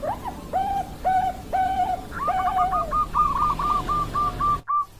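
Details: Bangkok-type zebra dove, recorded 16 October 2023, sings four drawn-out, bending coos, then a fast stuttering run of short clipped coo notes on one pitch, with a faint low hum behind.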